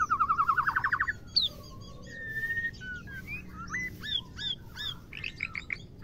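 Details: Female white-rumped shama, its voice meant to spur males to sing and stimulate mating: opens with a fast pulsed trill of about ten beats, then a long flat whistle and varied rising chirps.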